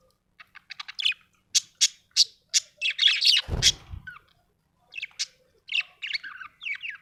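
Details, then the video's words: Happy budgerigar chirping and chattering: a series of sharp clicky tick notes repeating quickly, then rapid warbled chatter, a brief low thud, and further scratchy chirps toward the end. "happy budgie chirping sound"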